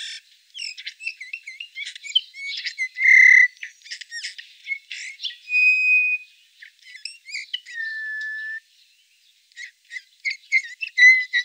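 Eurasian bullfinch: soft squeaky twittering notes broken by several drawn-out, low, slightly falling piping whistles, over about eleven seconds; no other sounds.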